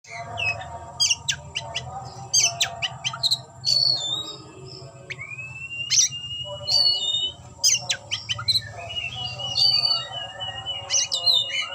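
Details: Oriental magpie-robin singing while displaying and opening its tail: varied whistled phrases, sharp high notes and rising slurs scattered through the clip, over a steady low hum and a constant high tone.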